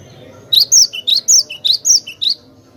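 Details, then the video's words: Clear glatik batu (cinereous tit) song used to tutor other birds: high, ringing notes alternating with lower clipped chips in an even, quick sequence of about eight notes. "Masteran Glatik batu gacor suara jernih durasi panjang"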